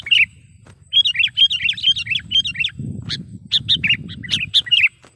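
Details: Sooty-headed bulbul calling to lure wild birds for trapping; clipped, wavering chirps in a run, a break with low rumbling noise, then a fresh series of short sharp notes near the end.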